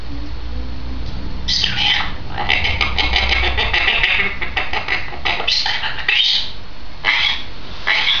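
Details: A two-year-old grey parrot gives a run of harsh, raspy squawks and chatter broken by a few brief whistled notes, over a steady low indoor hum.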